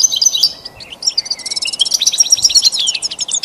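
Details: Lively goldfinch song for pet song training: fast tinkling twitter and rattling trills packed closely together, high and bright, over a constant soft hiss.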